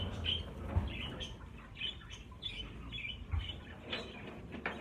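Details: Flock of about fifty caged budgerigars being moved into a bigger flight cage; short high chirps and squawks from many birds overlap, with soft rustling and low handling noise underneath.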